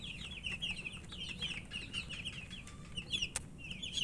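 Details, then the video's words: Feeding chicken chicks give a dense chorus of shrill, rapid peeps, nearly unbroken, with a few sharp tapping clicks and low background noise. "Murgi chicks Chirping sounds and eating"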